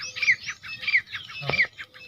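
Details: Partridge (teetar) giving three sharp, descending whistled notes in quick succession, each around half a second apart, with a faint low rumble behind.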